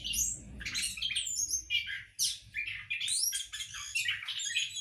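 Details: Caged orange-headed thrush at a breeding setup singing rapid, jumbled phrases of twittering chirps, upward-swept whistles and harsher notes, nearly unbroken for several seconds; low background rumble present.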